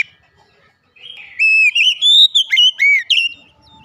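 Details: Oriental magpie-robin, called Kacer, in loud song with an open beak: a smooth rising whistle leading into a run of bright slurred notes that dip and climb, ending abruptly.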